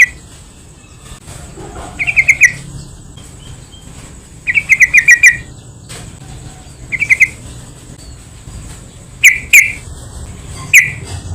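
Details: Yellow-vented bulbul lure song: bubbling chattered phrases of three to five notes at uneven gaps, followed by a few single sharp chirps near the end, over light background hiss.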